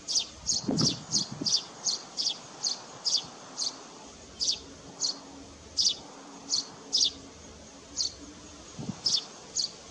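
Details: Eurasian tree sparrow, a now-rare species, breeding in a nest box on a barn at Landje van Geijsel, 21 May 2022. Short high chirps repeat steadily, around two per second, over soft background rustle and low noise.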